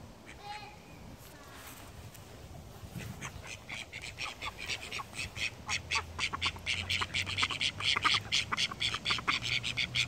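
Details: Call ducks in flight, with rapid, harsh quacks that start quietly and build into a fast, loud series of about two per second, each quack sharp and nasal.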